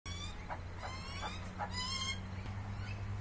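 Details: Butcherbird in a yard or garden in Brisbane, Queensland, Australia, giving clear, fluty whistled notes, gently falling in pitch, for about two seconds; a steady low hum and a high insect-like hiss continue behind.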